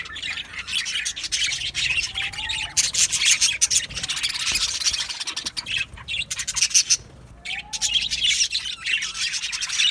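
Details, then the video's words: Colony of aviary budgerigars producing raspy, scratchy chatter in long dense bursts, broken by a couple of short lulls, with a few faint rising whistles beneath. "Budgies Chirping sounds"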